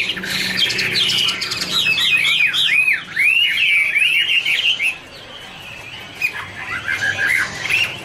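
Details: Chinese hwamei (Garrulax canorus) in a dancing duet, singing a string of quick, looping whistled slurs that rise and fall rapidly, then a short lull before softer, lower warbled notes resume.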